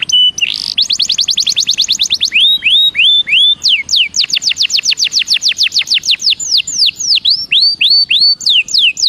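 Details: Belgian canary in full song: a steady stream of high, clear whistled notes, each sweeping downward, delivered in fast trills that change speed and shape every second or two.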